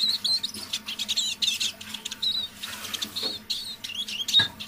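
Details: Evening half-voiced song of a captive decoy Eurasian siskin: scattered high twitters and drawn-out buzzy whistles with gaps between phrases, a couple of soft knocks, low hum throughout.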